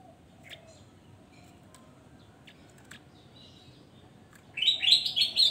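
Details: Javan grey-throated white-eye in lively song: a few faint, isolated high chips at first, then a sudden loud rush of rapid, jumbled twittering notes filling the last second.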